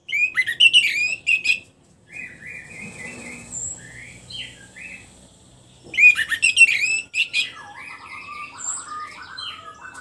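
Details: Orange-headed thrush in a cage after moulting, singing freely: a varied, continuous song of rapid chattering phrases, slurred whistles and buzzy warbled notes, with loud bursts at the start and middle.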